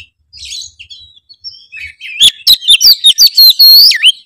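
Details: Oriental magpie-robin singing gacor as a lure for other magpie-robins: soft, thin warbles and short whistles open, then a loud, rapid run of sharp whistled and grating notes builds to the end.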